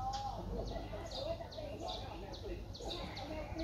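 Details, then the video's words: Four-day-old Streak-eared Bulbul nestling in Ubon Ratchathani, Thailand, recorded 6 April 2023: a quick series of thin, high, downward-slurred squeaks, about two per second, over a steady low hum and faint lower chirps. "นกปรอดสวน อายุ 4 วัน : Streak-eared Bulbul (Pycnonotus blanfordi)"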